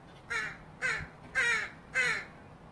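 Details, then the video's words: A fledgling Northwestern crow, offscreen, begs with four harsh, nasal caws about every half second, each slightly drawn out and falling at the end. "Interesting fledgling crow begging vocalizations (crow sounds)"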